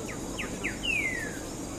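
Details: Greyish saltator song: three short, quick descending notes followed by a longer, clear whistle that slides slowly downward, over a steady hum of background noise.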